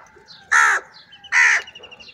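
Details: Crows in a large group fighting over food; two loud harsh caws about a second apart, with faint calls of other birds between them.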